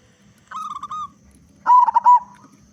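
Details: Zebra dove of local stock, a strong singer used as a lure for other doves: a level pulsed trill is followed after a short gap by a louder, wavering, rolling coo phrase.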